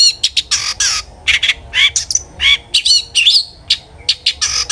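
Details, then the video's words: Long-tailed shrike singing hard as a lure for other shrikes: a harsh, squawky chatter of broad rasping notes interspersed with warbled, wavering whistles, in quick irregular phrases. "suara burung CENDET GACOR ampuh pancingan CENDET AGAR BUNYI"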